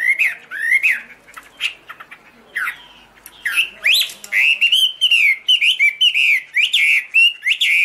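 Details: Chinese hwamei song with high, pure, loud whistled phrases, some upward-sweeping, building into a fast, rolling series of melodic notes.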